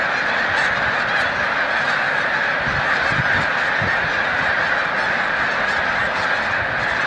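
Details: Migrating snow geese at Montezuma, New York, 7 March 2022, rising into flight near the migration's peak: steady mass honking from countless birds, with scattered sharper yelps and a few low thumps mid-clip.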